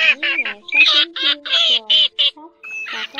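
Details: Pheasant-tailed jacana lure calls for netting migrant birds at night in August: a run of harsh rasping squawks, about one every half second, layered over low nasal wavering mews.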